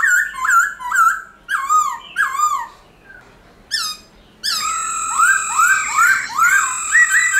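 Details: Black-throated laughingthrush in forest-style song, used to prompt caged birds to sing: clusters of loud, downslurred whistled notes with a pause, then a long ringing tone overlaid with rapid repeated swooping whistles.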